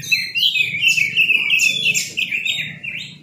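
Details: Oriental magpie-robin song used as a lure to draw a quick response from other magpie-robins: a loud, continuous run of high whistled phrases, sliding and warbling, with a steady low hum underneath.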